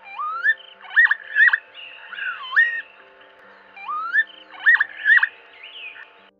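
Northern Lapwing giving wheezy, slurred whistles that rise and swoop, the familiar "pee-wit" calls, in two bursts of several notes with a quiet pause between.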